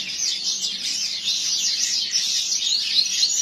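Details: Double-collared seedeater kept by a breeder, tournament singing: an unbroken stream of rapid, high, warbling notes and rolling trills that swing up and down throughout.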